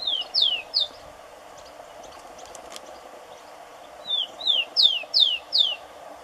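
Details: Rufous-collared sparrow (tico-tico), a common Brazilian bird of gardens, yards and rural areas, singing: two clear song phrases, each starting with soft descending whistles and followed by louder, sharply downslurred whistled notes, about five notes per phrase, over a steady low background hum.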